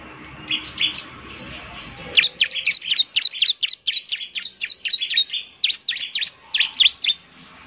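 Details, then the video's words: Bar-winged prinia in lively, partly fluent song used as a lure sound: brief high notes, then rapid repeated sharp, downward-sweeping chirps, about four per second, high-pitched and clear. "pancingan suara ciblek semi gacor."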